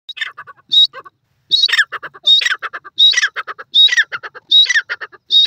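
A francolin gives loud, harsh, grating phrases of clipped notes with a shrill high start, repeated steadily about every three-quarters of a second.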